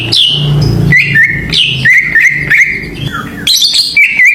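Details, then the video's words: Greater green leafbird song as a lure for other birds: a high downslurred note, then a string of quick wavy whistles on one pitch, a falling slur and a closing buzzy flourish, with a low hum beneath. "PANCINGAN CUCAK IJO ‼️ AWAS NGAMUK BIAR GA BISUU"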